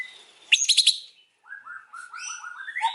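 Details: White-rumped shama singing in the afternoon: a burst of sharp rapid chips, a brief pause, then a run of low rounded warbled notes and higher whistles overlapping one another.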